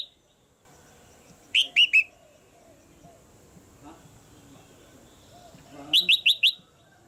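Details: Caged female red-whiskered bulbul calling to make a male sing louder: a falling triplet of bright chirps, a quiet gap with faint background hum, then a fast burst of four sharp notes.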